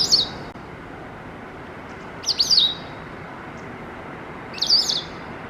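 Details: In November, a territorial white wagtail at a balcony in Japan chirps very loudly before returning to its perch as another flock of wagtails arrives. It gives three sharp, high double-noted 'chizzick' calls about every two seconds over a low rumble.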